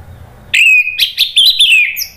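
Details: Orange-headed thrush, a kept songbird from Indonesia, singing loudly and freely: one sharp onset, then a long, high, clear whistled phrase that wavers and glides gently downward, broken by short bright accents.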